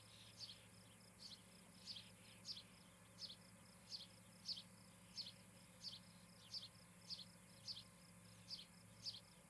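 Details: Osprey pair at a treetop nest in Charlo, Montana, captured on a nest camera during a July 2018 evening: thin, sharp whistled chips repeat steadily about every 0.6 seconds over a constant high pulsing buzz.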